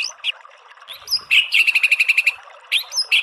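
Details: White-rumped shama giving a rapid, even series of about a dozen bright chips. Sharp whistled notes fall before and after the series.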